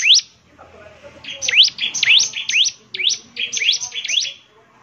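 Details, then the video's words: Bar-winged prinia singing vigorously, played to make other prinias answer: high, sharply upslurred chirps in quick uneven bursts. An opening chirp is followed by a pause, then a run of about ten notes. "ciblek semi gacor, SEKALI putar saja ciblek semi PASTI ikut bunyi nyaut"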